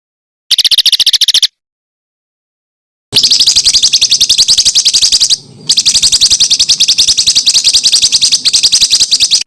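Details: Training song with dense rapid-fire filler used to teach competition birds. A short burst of very fast high ticks, a pause, then a long rattling high trill of evenly spaced notes with one brief break.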